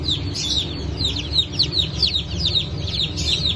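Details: Newly hatched chicks from a 9 May 2024 hatch of Brahma, Sultan and Appenzeller chickens with pheasants: a dense chorus of high, thin, downslurred peeps that overlap rapidly over a low steady hum.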